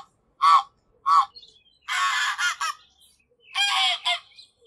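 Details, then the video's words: A goose gives two short, nasal honks, then two longer, harsh, rasping calls, each about a second long; no other sounds stand out. "GOOSE SOUND - GOOSE SOUND EFFECT - SOUND OF GOOSE - NOISE OF GOOSE"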